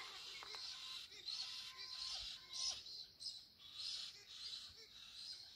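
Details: Australian green parrots chatter in bright, high-pitched bursts that overlap and come in quick, uneven waves, with a few lower whistled notes coming through faintly underneath.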